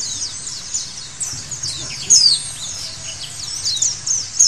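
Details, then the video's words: High-pitched white-eye song of rapid sweeping, descending whistles that builds into sharper, louder notes in the second half. "Terapi Pleci Segala Kondisi Bikin Gacor!!!"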